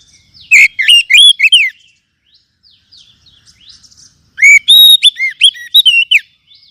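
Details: Captive-bird stimulus track of white-rumped shama song: a burst of loud whistled slurs, then faint soft twitters for about two seconds, then a second energetic phrase of level and bending whistles.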